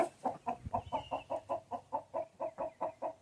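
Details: A chicken clucking in a steady series of short, low, throaty notes, about five each second, evenly spaced with little else heard.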